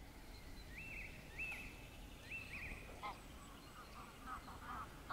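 Common Starling mimicking a wader: three clear, rising whistles in the first three seconds, then shorter broken notes, over a low background rumble.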